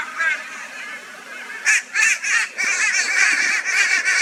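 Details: Crow flock harassing a barn owl, Brisbane, Australia, 22 February 2022; quieter scratchy calls at first, then loud, sharp raucous caws in quick bursts merging into a continuous harsh chorus.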